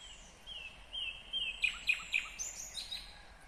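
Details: Kyrgyzstan nightingale singing in 2020. Long, drawn-out whistled notes lead into three loud, emphatic repeated notes, followed by fainter high twittering.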